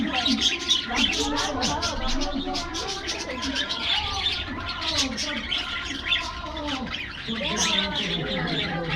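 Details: A flock of happy budgerigars kept in an aviary, receiving a morning diet treat, chatter constantly with sharp chirps and warbling high notes, while deeper cooing sounds run underneath.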